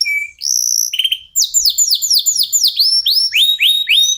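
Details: Local canary song meant to prompt other birds to sing: a few steady whistled notes, then a quick series of upswept chirps repeated several times per second, ending in rising sweeps.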